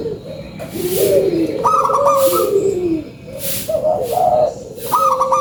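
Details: Local zebra dove lure song, mellow cooing phrases with rippling higher notes, several doves calling together over constant background hiss.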